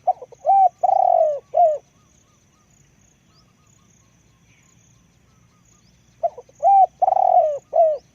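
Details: Deep-voiced spotted dove kept as a decoy, giving two full cooing phrases of short hollow notes, a long vibrating downslurred coo and a closing coo, with a quiet pause between them.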